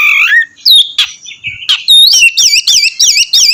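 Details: Oriental magpie-robin song used to lure another bird into singing: opening rising whistles, then a steady series of looping up-down whistled notes repeated about three times a second.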